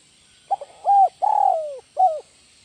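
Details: Spotted dove, known locally as tekukur, of the 'kuk 1 melambung' style: a short phrase of hoarse cooing notes with one long drawn-out coo falling in pitch, closing with a brief final coo.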